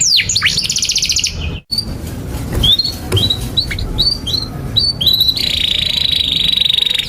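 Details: Canary singing, a tutor recording for young canaries: a buzzy trill, then a brief break and scattered short whistled chirps over background noise, ending in a steady high buzzing tone.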